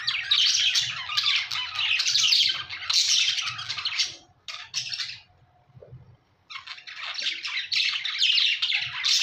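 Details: Budgerigar chatter of scratchy warbles and squawks in two long bursts, broken by a quieter gap of a couple of seconds with only scattered faint notes.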